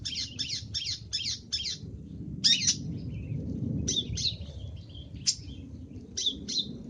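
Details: Long-tailed shrike (cendet) training song, full of fills: rapid harsh buzzy bursts, then spaced sharp rasps with thin twittering notes between, against a noticeable rumbling low background.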